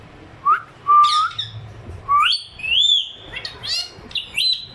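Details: Pet pair of ringneck parrots at home: short rising whistled notes alternate with harsh, buzzy squawks that climb and fall in quick irregular bursts, in a quiet indoor room.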